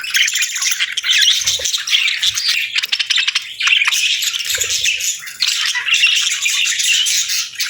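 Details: Cheerful parakeets enjoying warm food on a winter morning produce a thick stream of squeaky, buzzing chirps. Many birds call over each other, and a few faint low knocks are heard.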